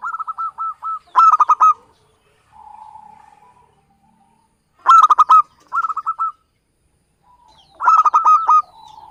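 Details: Local zebra dove from Java, calling as a trapping lure. Rapid stuttering coo bursts come roughly every three seconds, separated by soft, buzzy murmured coos.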